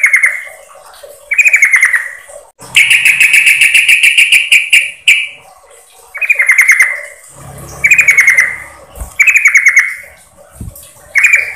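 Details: Female yellow-vented bulbul calling the male as a lure: short bubbly, downward-sliding chatter phrases repeated every one to two seconds, with one longer, denser buzzing rattle early on and faint low background rumbles.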